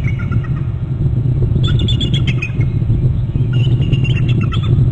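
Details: On Hornby Island, a pair of bald eagles call at the nest territory as one lands on a bare branch. Two runs of high, squeaky piping notes sit over a steady low roar.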